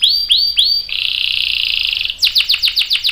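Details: Prolific canary lure song with long rolls: three upward-curving whistled notes, then a dense buzzing roll of about a second, followed by quick falling chirps.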